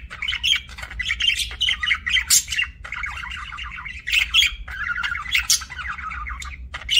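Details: Aviary budgies chirping: lively run of warbled notes, raspy squawks and sharp ticks, several birds chattering at once for seven seconds with a low background hum.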